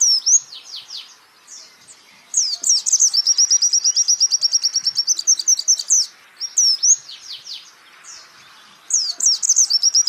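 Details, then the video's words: White-eye song from a champion-style songbird training recording: high, fast chattering phrases broken by long rapid trills of sharp repeated notes, the bursts separated by short quieter pauses. "pleci Jawara Pake Masteran ini jamin Geter-GETER"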